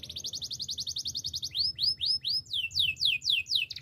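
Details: Spanish timbrado canary song used for training: a quick even trill of short notes, then slower repeated rising-and-falling swooping whistles, about four a second.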